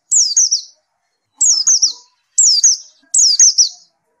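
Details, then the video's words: Following therapy, a white-eye repeats the same high phrase four times, about once a second: a sharp downward whistle trailing into two or three quick wavering notes. "Gila nie pleci setelah diterapi gacor terus"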